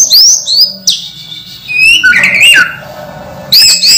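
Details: Caged orange-headed thrush in moult, still singing eagerly: loud, clear whistled phrases that slide up and down, broken by short pauses, with a burst of sharp high notes at the end.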